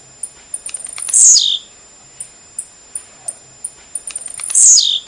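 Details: Blue-black grassquit singing, played to stimulate and teach a caged bird: high clicking ticks repeat steadily between two loud buzzy notes, each sweeping sharply downward, about three and a half seconds apart.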